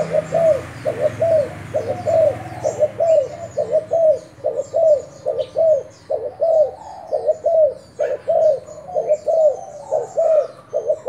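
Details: Spotted dove, Thai decoy bird, delivering a long steady series of paired low coos, each pair a short note then a longer downslurred one, repeated about every second, other birds twittering faintly behind.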